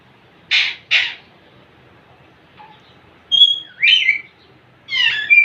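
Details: Courting young male Indian ringneck parakeet with a female: two short, harsh squawks in quick succession, a quiet stretch, then a run of bright, sliding, rising and falling whistles and chattering notes.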